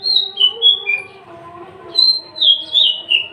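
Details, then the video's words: Captive Javan bush lark, tame, feisty and unringed, a singing male, sings two phrases of sweet whistled notes stepping downward, separated by a brief pause, with a faint steady hum underneath. "branjangan javanica MH nonring jinak galak siap jadi pejantan gacor dor"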